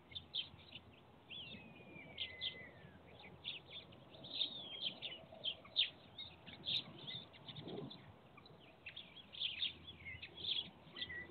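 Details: On a sunny 7 October 2022, small birds around a willow with an empty stork nest give high, thin chirps and trills, with one clear whistle sliding downward early on.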